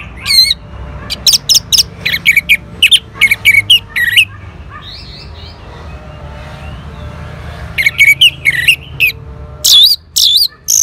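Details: Orange-headed thrush singing in response to a lure: long, energetic sequences of loud sharp chips and warbled whistles, pausing midway, with a low background rumble throughout.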